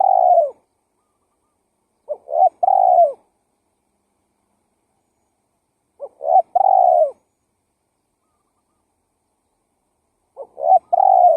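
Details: Repeated spotted dove lure call. Phrases come about every four seconds, each with clipped soft notes followed by a full rounded coo that drops slightly at the end. No other sounds.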